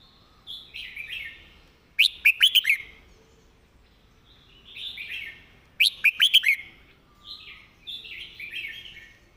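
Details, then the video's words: Red-whiskered bulbul singing a clear, well-phrased master song: soft warbled phrases alternate with loud bursts of four or five sharp, rapidly repeated whistled notes, twice in under ten seconds. "จัดเต็ม"สำนวนดี ร้องชัดคำ เพลงแม่บท"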